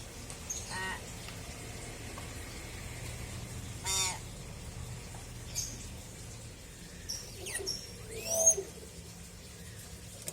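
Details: Pet common hill myna, described as a clever kept bird, giving a few scattered harsh, harmonic calls, one loud rasping note near the middle, then quick rising and falling whistled sweeps, over a steady low hum.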